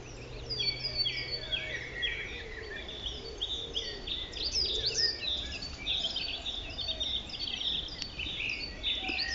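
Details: Song thrush singing continuously on a local patch in the morning, in habitat ranging from open tufted grassland to thick woodland: bright, varied whistled phrases, each repeated two or three times before switching, with other birds and a low hum behind.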